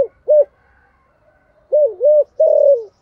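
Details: Spotted dove used as a lure bird, calling daily with a local-style voice: a short coo, a pause, then a rapid series of arched mellow coos ending in a longer drawn-out note, recorded indoors.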